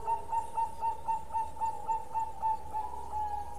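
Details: Bangkok zebra dove in a long song, heard faintly: a steady series of short, even coos about four per second over a humming background noise.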